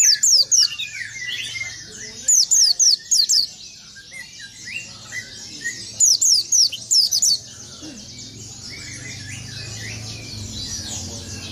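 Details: Oriental white-eye giving a rolling, open-beaked song meant to provoke rival birds: short bursts of rapid, high, descending chirps near 0, 2.5 and 6.5 seconds over a faint low hum and soft background chatter.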